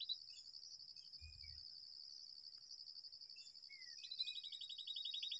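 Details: Babblers near their nest in a date palm. A few soft slurred notes give way to a loud stretch of fast harsh chattering at the end, over a persistent high cricket hum and a brief low thump.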